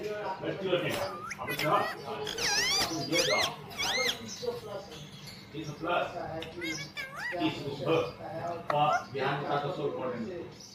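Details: Green ringneck parrot producing a busy run of chattering, speech-like notes and clear arched whistles rising and falling in quick succession, over a low steady background hum.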